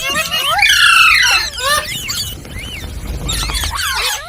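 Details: Ringneck parrot's funny sounds: loud shrill squealing notes at first, then softer, wavering whistles and squeaks after a brief lull, with low background rumble.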